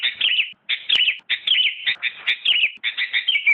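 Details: Sooty-headed bulbul that won first place in a 2017 contest, delivering continuous bubbly warbled phrases of rolling, slightly buzzy notes in rapid succession, each phrase about half a second long.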